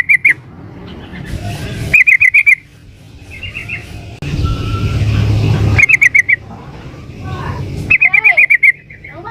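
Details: Female sooty-headed bulbul calling to the male: short bursts of five or six sharp, rapid chirps at a steady pitch, repeated every couple of seconds, with a low rumbling background noise in between.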